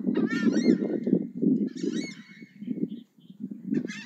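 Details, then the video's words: Southern screamer giving harsh honking trumpet calls at the start and again midway, partly buried under heavy low rumbling noise. "Chajá audio"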